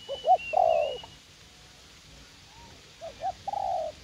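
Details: Young wild-caught spotted dove, said to be eager to fight, used as a decoy in a garden at U Minh: two soft phrases, each of quick short coos followed by one longer drawn-out coo, separated by a pause, with a faint high whistle.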